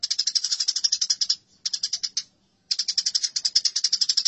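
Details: Harsh, rapid sparrow chatter during a fight, steady strings of clipped chirps broken by two short silences, each run resuming at the same fast pace.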